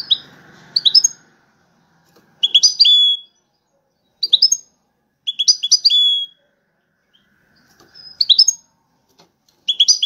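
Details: European goldfinch singing in a five-bird contest, widaniya style; short clusters of bright, tinkling chirps with buzzy ends, repeated roughly every one to two seconds, with silences between.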